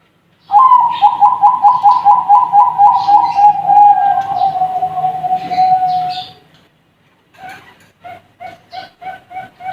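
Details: Young Bangkok perkutut, or zebra dove, bursts into a quick series of pulsing coos that slide gently downward into a sustained trill, followed after a pause by about seven short, evenly spaced cooing notes.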